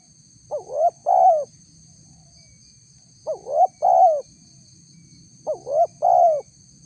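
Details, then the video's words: A spotted dove lure recording meant to provoke wild doves to answer. Three soft coo phrases about every 2.7 seconds, each two quick upslurred notes and a drawn-out descending coo, with a faint constant high-pitched hum behind. "suara tekukur PALING DI CARI untuk memancing respon tekukur liar"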